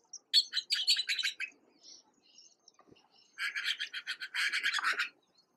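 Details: Juvenile red-billed blue magpies (Urocissa erythroryncha), recently fledged and fed by a parent, in Uttarakhand, India, give two bursts of harsh, raspy, rapidly repeated notes, each over a second long, with a short quiet gap between.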